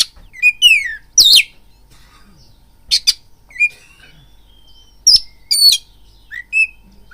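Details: Oriental magpie-robin (kacer) lure song for provoking fighting: sparse loud sharp notes and short downslurred whistles separated by long quiet gaps, with a thin drawn-out whistle in between.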